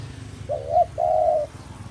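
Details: Single cooing phrase of a Javan spotted dove used as a trapping lure: a short quavering note, a brief pause, then a longer level coo, over a steady low hum.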